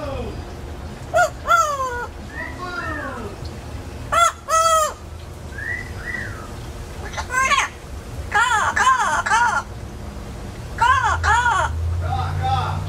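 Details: Talking pet parrot from an indoor free-flight aviary, caged while out, mimicking crows: a long run of loud arched, harmonic syllables, some falling in pitch, grouped in bursts with short gaps, with faint human voices and room noise.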